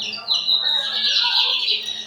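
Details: Lined seedeater from São Luís, recorded 14 May 2025 at four in the afternoon, singing a continuous high, buzzy warble of sliding notes, with a few lower chirps beneath.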